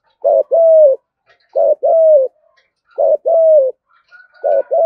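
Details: Spotted dove, 'cu gáy thúc gù' style, deep voice: three clear phrases, each a quick double hoot leading into a drawn-out, slightly dropping coo, evenly spaced about 1.4 seconds apart, with a faint high tone near the end.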